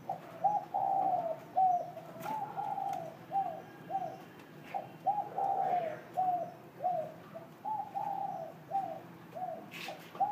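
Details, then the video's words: A spotted dove coos in soft, low, hollow notes, given in short two- and three-note phrases repeated over and over, with a few faint knocks behind. "Cu cu sáng"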